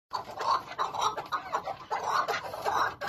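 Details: A wild chukar partridge gives harsh, chuckling notes in rapid, uneven bursts, several each second, in a throaty mid-pitched voice.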